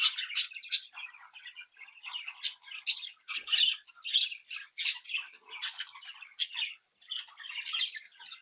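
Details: Indoor brood of budgerigar chicks chirping and singing as they play and interact: dense, lively warbling with frequent sharp ticking clicks scattered through the stream of chirps.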